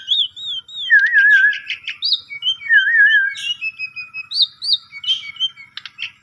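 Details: Asian pied starling song used as a lure to get a silent starling singing; wavering, warbled whistles low and high, mixed with short clicks and higher rising notes in a varied, unhurried phrase.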